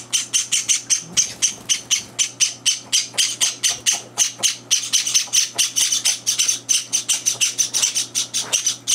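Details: Feeding-time clamour of Java sparrow chicks, three days after arriving home, with two older birds barging in: long sustained chain of harsh, buzzy squawks, fast and relentless, growing denser midway.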